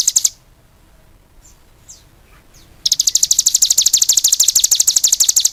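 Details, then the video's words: Cigun singing vigorously: a short high trill, then near-silence with a few faint thin notes, then a sustained fast burst of sharp, high chirping notes repeated several times a second. "suara burung CIGUN gacor"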